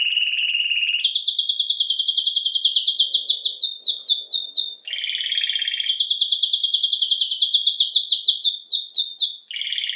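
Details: ['Canário-belga (domestic canary) song of long, rapid rattling rolls of repeated high syllables, switching between a higher and a slightly lower tour several times.']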